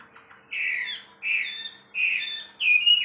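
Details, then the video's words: Wambi bird song as four harsh, buzzy, downslurred notes spaced roughly two-thirds of a second apart, each strong and slightly rasping, over a quiet steady hum. "suara burung wambi bikin ambrol - kicauan burung"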